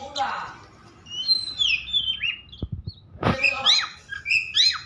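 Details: Oriental magpie-robin (kacer) in an agitated mood, used to draw song from other magpie-robins: harsh rasp, then slurred whistles, a few clicking taps and a lively run of sharp chirps and whistled notes.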